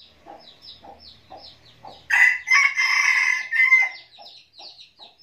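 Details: Decoy red junglefowl rooster crowing to attract wild males: a single loud, hoarse, two-part crow lasting about two seconds, set among rapid repeated high chirping notes from other birds.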